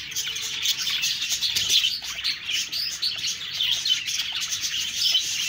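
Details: Budgerigars chirping and chattering together, a dense, continuous warble of high twittering notes with no pauses, many birds calling over one another throughout.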